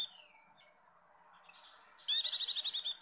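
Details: A female Javan white-eye in breeding condition gives a thin opening note, then a short, high burst of about ten rapid buzzy chattering "icir" notes in under a second; used to stimulate males.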